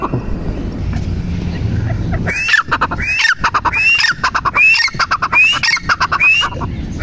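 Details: Female grey francolin call: low rumbling background noise for the first two seconds, then a burst of repeated rising, whistled notes with grating squawks, shrill and insistent.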